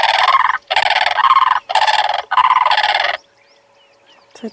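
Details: Blue crane pair calling back and forth, each bird filling the offbeat of the other so the call bounces constantly between them: four loud, harsh, rattling croaks, each about a second long, evenly spaced, then a quiet tail.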